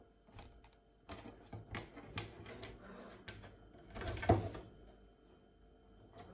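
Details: Indoor knocks, clatters and a door or drawer sliding, with a faint murmur of speech and no clear animal calls.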